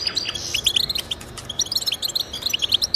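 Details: Goldfinch song intended to encourage pet goldfinches: a rapid, clear sequence of bright tinkling chirps repeated many times a second, with a buzzy note near the start.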